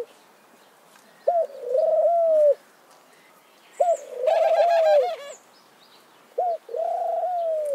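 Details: Mourning dove cooing: three low, soft, mellow coo phrases, each a brief rising note followed by a longer level hoot, spaced a few seconds apart, with a short burst of high chirping from another bird over the second phrase.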